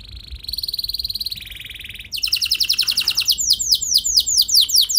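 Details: Canary singing as a lure for other canaries, opening with a steady buzzing trill that drops in pitch, then breaking into quick repeated swooping notes about four per second.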